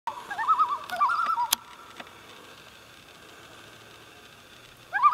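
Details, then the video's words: Loons on Pardee Lake, Vilas County, Wisconsin, about fifteen miles east of Mercer, heard in the morning: wavering, yodel-like tremolo calls warbling in rapid quavers for about a second and a half, a sharp click, near silence, then the quavering call resumes. "loons singing on Pardee Lake Vilas County Wisconsin"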